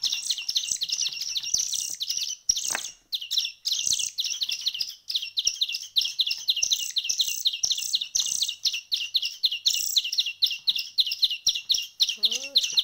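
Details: A week into hand-feeding, songbird chicks keep up a long, nearly unbroken series of sharp high chirps, many per second, with a couple of short gaps and faint clicks.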